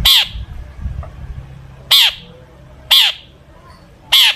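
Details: Long-tailed shrike in full, imitation-packed song, used to provoke other shrikes to sing: four harsh, buzzy notes sliding downward, spaced one to two seconds apart over a faint low rumble.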